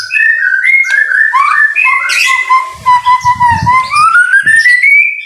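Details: White-rumped shama singing in the rain: long clear whistled notes that slide and wobble, dipping low then rising slowly at the end, over a faint low rumble.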